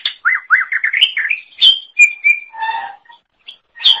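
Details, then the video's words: Greater green leafbird (cucak ijo) singing actively for training other songbirds: quick rising-falling whistled notes repeated about a dozen times, then higher drawn whistles and a lower buzzy phrase, with brief pauses. "Kicauan Super Cucak Ijo Gacor Untuk Masteran"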